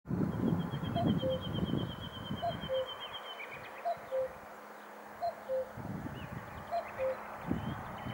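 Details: A common cuckoo in Sofia, Bulgaria, on 1 May 2020 gives its soft, falling two-note cu-coo five times, about every one and a half seconds, over a low hum, with a thin high trill from another bird.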